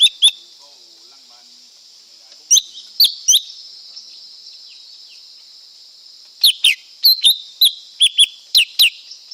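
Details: Lesser green leafbird singing: sharp, high descending whistled notes in short groups of two to three, separated by pauses, over a steady high background hiss.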